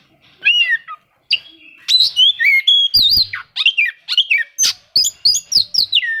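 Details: Oriental magpie-robin seeking rivals, its song meant to provoke quiet birds into singing: rapid run of loud, varied whistled notes, slurred down and up, some with quick trills, delivered almost without pause.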